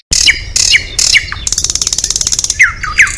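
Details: Competition Oriental magpie-robin sings isian phrases meant to unsettle rivals: bright high downslurred whistles in quick pairs, a rapid even trill of clicking notes, then more sweeping whistles.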